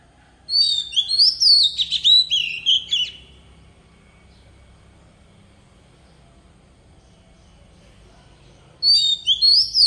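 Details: Oriental magpie-robin lure bird delivering forest-style song meant to train young birds: a dense outburst of loud whistles and chattering notes, a long silent gap with faint background hum, then another burst begins.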